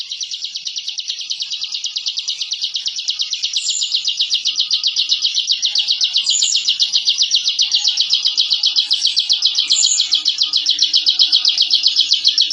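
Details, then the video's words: Bar-winged prinia, kept for songbird contests, giving its fast continuous 'ngebren' song, used to intimidate rivals: a dense high buzzy trill of rapid notes, steady and unbroken throughout, growing slightly louder toward the end. "Suara Masteran Burung Ciblek Ngebren & Rapat Abis"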